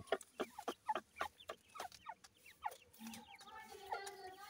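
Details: Several grey francolin chicks in a fight: quick, evenly spaced, sharp chirps, roughly four a second, giving way after three seconds to softer, longer, twittering piping notes.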